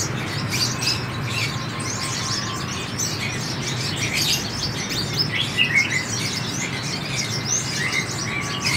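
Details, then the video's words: Sunbird singing: a steady stream of thin, high chirps and quick twittering notes throughout, over a constant low hum and background hiss. "hút mật 7 màu thả"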